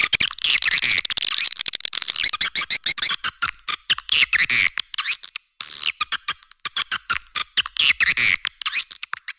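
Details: Swiftlet calling sound used to attract swiftlets: dense, rapid buzzy chirps and twittering, high-pitched, broken by many abrupt short gaps and cuts, with a few clear whistled notes; no other sounds stand out.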